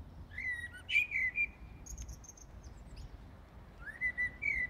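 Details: Common blackbird singing in the dead of night, early morning of 15 January 2018 in Brussels, Belgium: fluted whistled phrases with a high twittering tail, two phrases separated by a pause, over a low urban hum.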